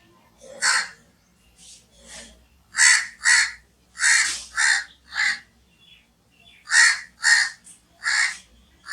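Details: Crow giving harsh, hoarse caws in irregular bursts, mostly paired or in threes, with short quiet gaps between groups; a faint low hum runs underneath.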